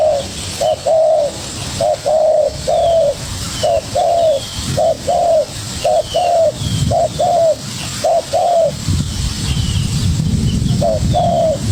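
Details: Young spotted dove fighting keenly with a decoy bird, cooing in a long run of two-note phrases, a brief coo then a longer one, roughly once a second. A pause comes near the end before one last pair, with low rumbling noise and faint chirps.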